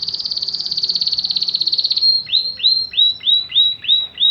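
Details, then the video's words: Belgian canary, called canário do reino, singing: a fast rapid trill near one pitch for two seconds, then a series of about seven repeated downward-sweeping whistled notes, roughly three per second. "CANÁRIO DO REINO CANTANDO"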